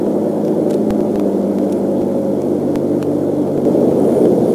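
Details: Steady low broadband rumble with a mechanical hum, broken by scattered sharp clicks and knocks; no animal voice is heard.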